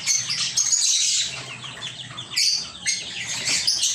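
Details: Small-aviary lovebirds give bursts of piercing, high chirps and squeaks, loud at the start, easing off, then flaring again twice.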